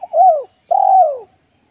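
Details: Close, loud cooing of a trained spotted dove in a yard, used as a lure for wild doves: a short arched coo, a brief gap, then a longer mellow coo gently rising and falling away, with a faint high hum underneath.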